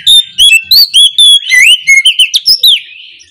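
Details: Morning ngeplong song of an oriental magpie-robin, played to spur quiet birds into answering: a rapid run of loud, ringing whistles, varied slurred and upswept notes, some brief harsher chips, trailing off softly at the end.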